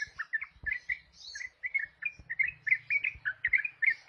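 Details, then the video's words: Trucuk-style song of a ruby-throated bulbul, a lively run of short clear chirps and slurred notes delivered in an uneven, rapid rhythm over a faint low hum. "Trucuk Ropel"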